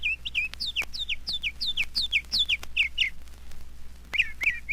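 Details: Northern Mockingbird, a mimic of other birds' calls and of sounds around it, singing at night as heard in Florida: varied, clear whistled phrases, each repeated two to four times in quick succession, over a faint low hum.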